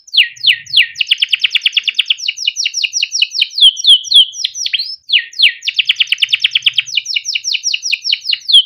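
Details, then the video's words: A caged male canary delivers its long 'cuit cuit ngerol' song for training young canaries, with sweeping chirps leading into a fast buzzy roll, slurred whistles, a brief pause, then another rattling roll and repeated chirps. "burung KENARI CUIT CUIT NGEROL untuk pancingan kenari biar gacor || kenari gacor panjang"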